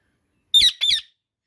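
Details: Natural voice of an Indian ringneck parrot: a pair of loud, grating squawks in quick succession, each about a quarter second long, separated by a brief pause.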